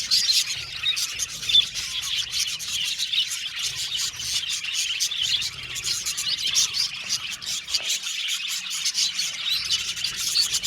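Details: Budgies in an aviary colony keep up a busy stream of rapid clicks, ticks and high twitters, buzzy and insect-like at times, that runs steadily throughout.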